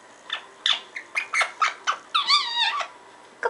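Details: Parrot chattering gibberish in rapid, uneven squeaky notes, some clipped and some drawn out and wavering, rising and falling in pitch.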